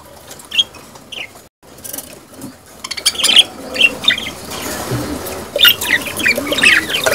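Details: Budgerigars giving mating sounds, meant to stimulate breeding, chatter in quick, scratchy warbles and sharp chirps, several birds overlapping, with rustling and wing flutters between bursts.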